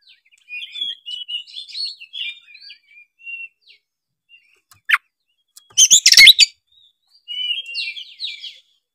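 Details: Oriental magpie-robin singing as a lure to set others singing: a soft, rambling run of varied chirps and short whistles, broken by a loud harsh burst midway, then more quiet warbled phrases.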